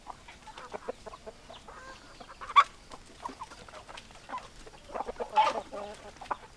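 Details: Chickens, hens with roosters, clucking at close range: irregular low clucks with two sharp, loud squawks standing out over a quiet background.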